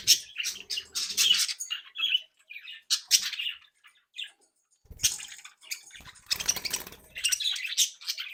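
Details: Playful pet budgerigars chirp and squawk in quick bursts, along with some rustling and clicking noises, as the active home-bred flock interacts.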